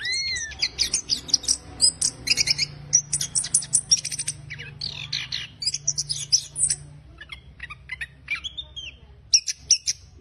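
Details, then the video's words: Orange-headed thrush in a long run of rough ngeriwik chattering, used to stimulate silent birds: an opening down-slurred whistle, then rapid, nearly continuous high chips and scratchy notes, thinning to spaced calls toward the end. "ANIS KEMBANG NGERIWIK KASAR UNTUK PANCINGAN ANIS KEMBANG MACET"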